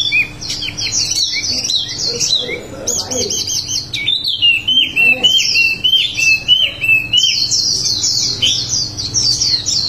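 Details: Wambi song of the rolling 'ngerol' kind: long bursts of shrill, high twittering alternate with rapid series of clipped chirps, about three notes a second, delivered with barely a pause across ten seconds.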